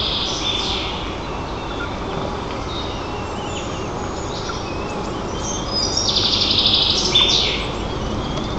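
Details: White-tailed eaglet begging at its nest, filmed by nest camera in Nizhnyaya Kama National Park, Tatarstan, Russia, on 30 June while demanding feathers from its mother; thin high squealing calls around the sixth to seventh second over steady loud rushing noise.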